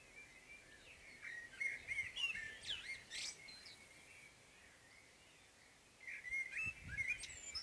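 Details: Common blackbird singing its morning song: rich warbled phrases with fluty whistles and higher twittering flourishes, two bursts separated by a quiet gap of a few seconds, over faint background hiss.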